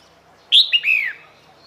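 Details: Female red-whiskered bulbul giving a call to attract males: one brief phrase of a sharp high note then two slurred, falling whistled notes, over a quiet low hum.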